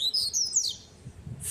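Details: A newly acquired captive Double-collared Seedeater, still getting used to handling and described as singing very loudly, sings a rapid, bright run of high twittering notes that slide downward, then stops; a faint low hum underneath.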